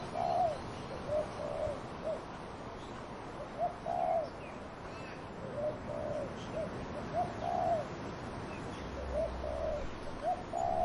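A dove coos softly in low, hollow notes, given in short bursts a second or two apart, over a steady rush of wind through trees.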